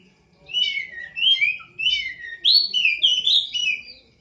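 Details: Prinia kept for singing contests, where it took third place after nightly bathing, gives short bursts of sweeping whistled notes separated by brief pauses, with the later phrases sharper and higher.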